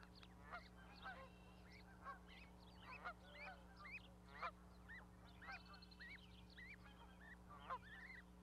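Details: Goose family, a parent with newly hatched goslings on a nesting platform in Charlo, Montana, May 12, 2020. Scattered short rising honks and chirps are spaced through the stretch, backed by a steady mechanical hum.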